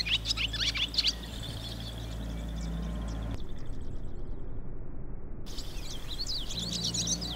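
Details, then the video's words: Barn swallow chicks in a nest above the door into a milking parlour on a rainy day give rapid, high twittering chirps in quick bursts over a steady low machinery hum, which drops out briefly midway. "Barn Swallow chicks"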